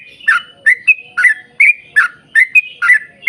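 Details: Yellow-vented bulbul with a lively rapid song to lure other bulbuls: paired and single chirps alternating with short clear whistles, lilting and closely spaced.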